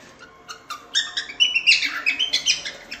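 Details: Cockatiel singing for cockatiel training: soft ticking notes building into a fast, dense string of chirps and bright warbles, about four per second.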